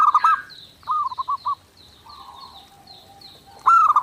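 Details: Zebra dove master song for daily training: short stuttering coo clusters at start, middle and end, with softer gaps filled by a repeated high thin chirp from another bird.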